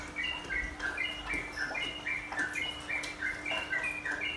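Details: Sooty-headed bulbul song used as a calming therapy for caged birds, with trickling water. Quick chattering whistled phrases tumble continuously, several per second. A steady low hum and splashing water run beneath.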